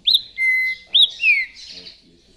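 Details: Rufous-bellied thrush (trinca-ferro) singing: loud clear whistles, a sharp upslurred note followed by a long steady whistle, then another upslur and a falling slurred whistle, ending in softer rougher notes.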